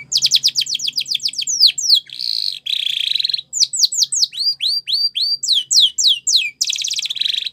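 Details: Spanish Timbrado canary in full song for training canaries: quick descending note runs, two dense buzzy rolls, then ringing looping whistles repeated several times a second, ending in a fast trill and rolled phrase.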